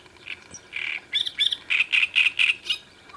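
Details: A great reed warbler on the bank of the Sviyaga River on 25 May 2017 gives loud, harsh, grating notes: a rapid croaking series of about a dozen raspy bursts in three seconds, against a quiet background.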